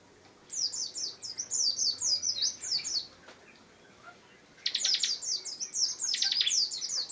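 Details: Bar-winged prinia (ciblek) in full ngebren song: a long run of rapid, high, down-slurred notes, a brief pause, then a dense stuttering burst and further quick descending slurs.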